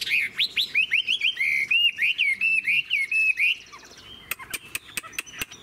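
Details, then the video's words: Long-bodied old wild-caught Chinese hwamei with fig-leaf tail in song: a fast series of about fifteen clear, rising whistled notes, a falling slur, then sharp isolated clicks. "Họa mi già rừng hót hay"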